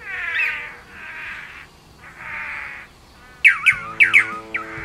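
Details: Blue Manakin of the Brazilian Atlantic Forest: three drawn-out buzzy, nasal notes, then a quick run of four sharp, high, down-slurred whistles, with soft instrumental music running underneath.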